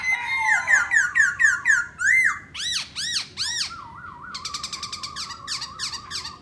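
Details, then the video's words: Black-throated laughingthrush sings while displaying, first a run of rapid rising-falling whistled notes, then loud arched siren-like whistles, followed by a fast wavering trill. "Khướu mun hót múa đỉnh"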